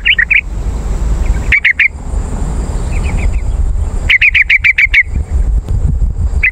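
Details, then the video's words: Yellow-vented bulbul lure call used to draw wild birds in forest or garden and to tutor caged birds: short bursts of quick, bright, stuttering notes, one burst of about eight notes, separated by pauses with low rumble and a steady high hum. "CEPAT RESPON PANCINGAN BURUNG TRUCUKAN AMPUH"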